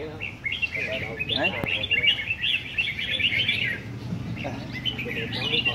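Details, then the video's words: Red-whiskered bulbul from A Lưří singing in competition: a long, fluent run of bright, fast-twittering song lasting several seconds, then softer scattered phrases, with faint voices and a sharp tap. "Chào mào A lưới chơi giàn quá đẹp"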